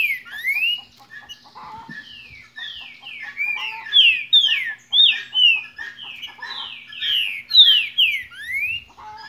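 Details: Extended green-winged saltator song, "Cadê meu boi" style: a rapid series of bright whistled notes, most slurring down and some rising, repeated more than twice per second, with a faint steady hum behind.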